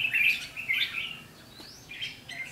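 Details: Red-whiskered bulbul at a decoy trap, singing its 'ché' fighting song on 7 July 2016: two quick chirpy warbled bursts, then a thin rising whistle and softer notes near the end.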